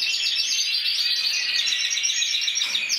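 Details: Intense yellow canary, Spanish 2014 champion scoring 94 points as an individual entry, singing a continuous fast warble of rapid trills and rolling notes, steady and loud without pause.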